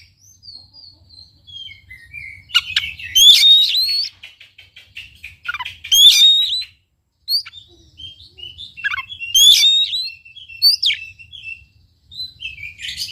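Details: Oriental magpie-robin singing, used to trigger song in a quiet bird: sweet descending whistled notes interspersed with loud sharp buzzy bursts and rising whistles, separated by brief silences, phrases delivered in irregular bouts.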